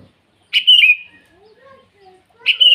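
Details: Morning song of a sooty-headed bulbul calling rivals: two loud, clear whistled phrases that rise then slide downward, separated by a pause with faint softer notes.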